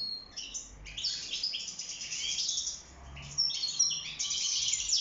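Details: European goldfinch, a wild bird kept in a cage, singing to court and build its nest; bright, tinkling twittered phrases broken by short pauses, growing busier and louder toward the end.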